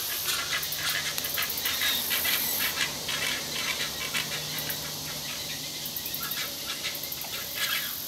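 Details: Two recently fed great egret fledglings, one harassing its sibling, give harsh, hissing chatter in rapid bursts, about two a second, over a steady low hum.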